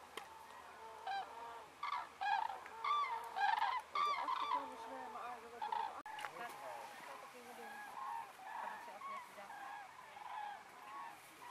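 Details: Huge gathering of cranes flying to roost on Ummanz, western Rügen, in evening twilight: clear rhythmic trumpeting from several birds around two calls a second, then a fainter murmuring chorus of distant cranes.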